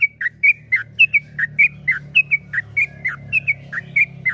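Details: Long-running yellow-vented bulbul song of the 'ropel panjang' type, clear liquid whistles falling in short pairs and repeated in an even stream, with a steady low mechanical hum underneath.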